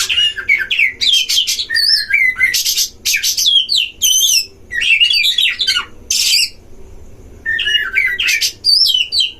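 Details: Captive Oriental magpie-robin duel in a breeding cage, a lure to agitate other magpie-robins. Rich high whistles and wavering slurred notes alternate with harsh buzzy bursts in energetic phrases, with short silent gaps and a soft low background hum.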